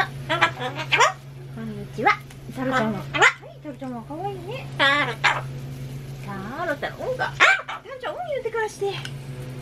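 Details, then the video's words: Solomons cockatoo chatters in harsh, squawky imitated words, repeating a short greeting over and over, seemingly to compete with loud construction noise it dislikes, over a steady low construction hum. "ソロモンオウムたろちゃん 工事の音に対抗して連呼したお喋りは…？"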